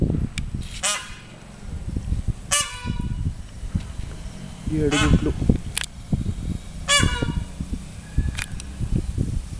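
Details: Repeated ringing, nasal peafowl calls, short harmonic notes roughly every two seconds, heard over steady low murmuring voices and outdoor background noise.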